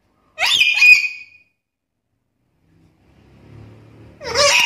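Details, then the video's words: Black-capped lory, a talker and mimic of varied sounds, lets out two harsh, high, scratchy bursts separated by a long quiet gap. "BURUNG NURI KEPALA HITAM GACOR BISA NGOMONG ISIAN SUARA BERVARIASI"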